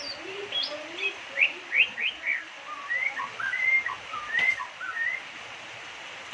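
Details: Singing white-rumped shama from Indonesia, its unusual song said to voice the name Jokowi, Indonesia's number one: opens with varied sharp chirps and low notes, then settles into repeated clear whistled phrases rising and falling, with soft hiss behind.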